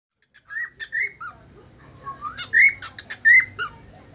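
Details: Budgerigar whistling: a run of clear whistled notes, many sliding upward then dropping, with short buzzy chirps between, the loudest whistles near the end, against a quiet background.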